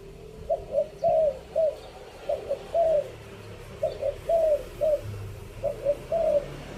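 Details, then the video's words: Spotted dove decoy cooing in the three-kuk style, fifth phrase. Three similar phrases of soft mid-pitched coos come about every 1.7 seconds, each made of short notes around a longer rolling middle note. "เสียงต่อนกเขาใหญ่ 3กุ๊ก ท่อน5"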